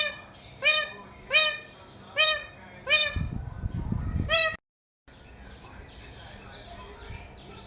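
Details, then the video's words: Pet talking parrot kept at home gives five loud, harsh, arched squawks about every 0.7 seconds, then falls quiet amid low handling noise and a brief dropout, with room hiss continuing. "Funniest Talking Parrot | Talking Mithu Parrot"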